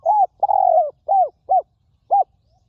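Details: A ground-decoy recording of a wild spotted dove, noted for its fine and very resonant voice: a short coo, a long level coo, then three brief arched coos spaced about half a second apart, with no other sounds.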